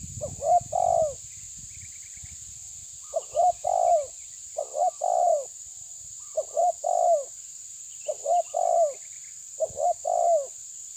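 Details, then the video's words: Spotted dove, the tabir type, confronting a rival with six phrases of husky rising-then-falling coos spaced about one and a half seconds apart. Faint rumbling comes at the start, and a steady high whine continues throughout. "Terkukur menekan lawan bikin emosi ~TERKUKUR TABIR"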